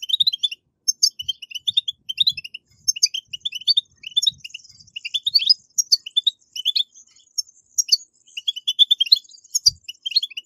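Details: European goldfinch 'betbetat' song meant to encourage captive birds to sing: sustained, busy high twittering with crisp clipped notes and brief trills, almost continuous over ten seconds, with soft low knocks underneath.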